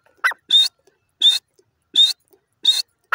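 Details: Grey francolin calling with loud, scratchy, high-pitched notes repeated about every 0.7 seconds, with a lower, softer note slipped in between some of them.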